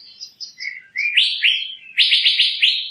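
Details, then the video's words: Asian fairy-bluebird song: soft high warbled notes leading into a quick run of four or five sharp, liquid whistles that drop slightly in pitch. "Tiếng chim Thanh Lam(Chim Lam) | The sound of the bird Irena puella"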